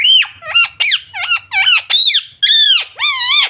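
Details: Parrot known for saying "mummy" and "papa" gives a loud, continuous string of shrill, squeaky, up-and-down calls with no pauses.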